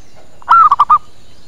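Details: Single zebra dove phrase from a lure recording intended to attract birds and provoke answers: a bright rising-then-falling coo followed by three rapid bubbling notes, all within half a second.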